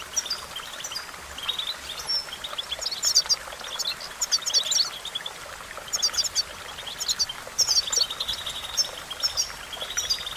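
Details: European goldfinch song for training: rapid, high, tinkling chirps and short trills in repeated clusters, loudest near the middle, with a continuous watery hiss behind them.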